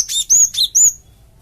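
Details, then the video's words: Loud, close Java sparrow lure call aimed at getting other birds to answer: four rapid high chirps in under a second, the longer ones drawn out as smooth whistled notes. "BURUNG GELATIK OMBYOKAN PUN LANGSUNG NYAUT DENGAR INI PANCINGAN BURUNG GELATIK BAHAN"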